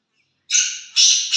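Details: Black partridge from Chakri, kept for a trial match, calling loudly: one long harsh grating rasp followed by two shorter rasping bursts, with no other sounds behind it.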